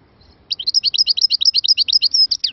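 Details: Rapid liquid twittering from a European goldfinch: a steady stream of short, high, bouncing notes, each paired with a sharper upper tone, delivered at an even, lively pace.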